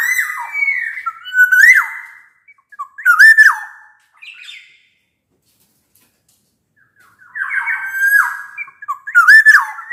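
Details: Black-naped oriole singing hard, meant to encourage silent orioles: runs of ringing flute-like whistles with sharp nasal accents, a silent gap of about three seconds, then more rich whistled phrases.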